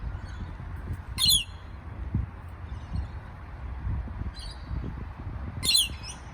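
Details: Parrot giving two loud, harsh squawks about four seconds apart, with a fainter squawk between them, over steady low rumbling background noise.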